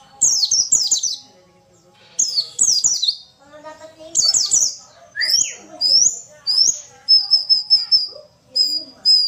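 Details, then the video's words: A female white-eye sings high, rapid twittering phrases in bursts of one to two seconds, separated by short pauses, with faint lower sounds beneath. "pancingan pleci malas bunyi"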